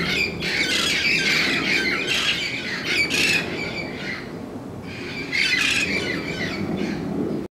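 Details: Red-crowned parrots, a protected flock, squawking loudly outside each morning: dense, harsh screeching calls from several birds, rapid and overlapping, with a short lull mid-clip before another loud burst.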